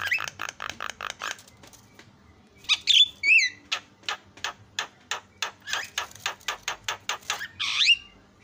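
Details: Asian pied starling singing to provoke rival starlings: quick runs of harsh chacking notes, a few slurred whistles, then a long steady series of dry clicks and a final squawky whistle.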